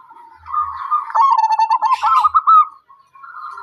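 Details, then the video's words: Zebra dove song: soft, rolling cooing notes near one pitch, quickly trilled in the middle, with a rising, wavering phrase after a short pause and faint low thumps underneath. "kicauan perkutut"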